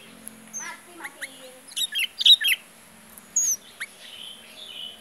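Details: Sooty-headed bulbul singing: scattered sharp chirps and short whistled notes, a bright cluster of quick tweets near the middle, then a few thin whistles in a quiet background.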